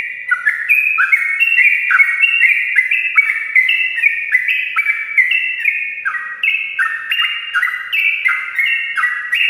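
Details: Morning ropelan of a sooty-headed bulbul, a long rolling song to draw lazy birds into song; dense, lively whistled notes in quick falling pairs, continuous and evenly loud over nearly ten seconds.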